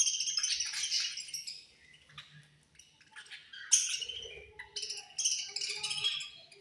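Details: Budgerigars chirping angrily during a meal. Loud grating squawks open the clip, then a lull, then a sharp shriek and renewed bursts of buzzy chatter.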